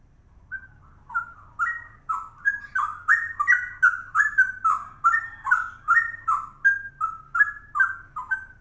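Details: Cucak rowo, the straw-headed bulbul, delivering a quick ropel song: liquid whistled notes that rise and fall in tight succession, growing louder after the first second and continuing unbroken, over a soft low hum.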